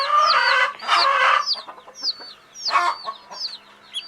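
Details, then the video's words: Baby chicks of a hen sleeping: high falling peeps scattered among a few louder, rough, broadband bursts at the start and middle. "Fun Sleepy "Chicks Chirping" Sound of Gallina Babies"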